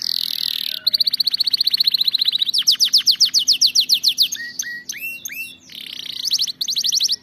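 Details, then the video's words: Canary singing, used to train canaries: a bright buzzy opening, long rapid rolled trills at changing speeds, then complex looping whistled notes and a final rattling phrase. "أفضل أغنية لتدريب طائر الكناري على الغناء الصحيح"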